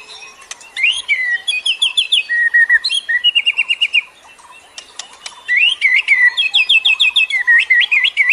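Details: White-rumped shama song from a forest recording used as training for captive shamas that sing rarely, with rapid trilled series of repeated notes, clicks and looping whistled phrases, pausing briefly midway.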